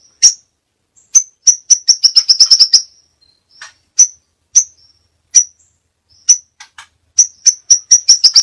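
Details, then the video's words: Crimson sunbird (Aethopyga siparaja) masteran song with many variations: sharp, thin high chips, first spaced, then speeding into a rapid run, followed by scattered single chips and another accelerating chip series. "masteran burung sepah raja banyak variasi ( suara audio kicau burung )"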